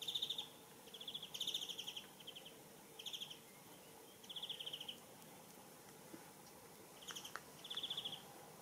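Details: Blackstart feeding on a caterpillar near Mitzpe Ramon, Israel, giving short, high, buzzy trilled bursts about half a second each at irregular intervals over faint hiss; Blackstart.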